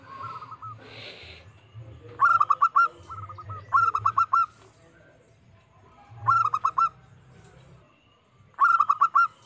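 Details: A local zebra dove, played as a lure call to challenge rivals, gives its staccato, bubbling coo, a quick run of rolling notes, in bursts every two seconds or so, with a faint low hum behind.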